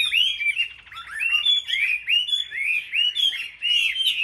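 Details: Chinese hwamei singing competitively in a cage at a Vietnamese market, repeating loud upslurred whistled phrases roughly twice a second, bright and ringing, with other birds behind.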